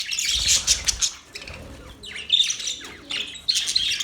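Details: Budgerigars, Australian parrots, chirping in bursts of high, scratchy twittering and short squeaky notes, separated by brief quieter gaps, with faint low thumps underneath.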